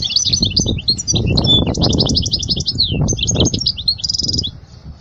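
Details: Song of a European goldfinch, played for teaching young birds: a continuous stream of quick, high, chattering twitters with slurred whistles. A short nasal buzzy trill comes near the end, over low rumbling background noise.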